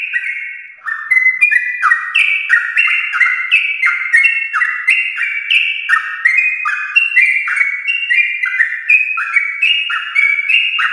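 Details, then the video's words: Yellow-vented bulbul from a champion line, a lively long rapid song used to prompt pet bulbuls to sing: an unbroken chain of bright, stepped whistled notes that rise and fall quickly, with no other sounds. "Trucukan gacor ropel panjang TRAH JUARA untuk pancingan trucuk rumahan"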